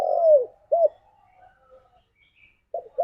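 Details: Spotted dove calling to its companions. A long, low coo slides downward, then a single short coo is heard. After a quiet stretch with faint murmurs, the opening coos of another phrase start.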